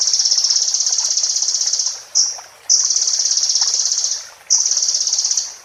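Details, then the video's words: Sunbird song used as a master recording for training caged birds: long, high, sustained buzzy trills, each held about two seconds, separated by a short chip and brief pauses. "MASTER BURUNG KECIL KOLIBRI"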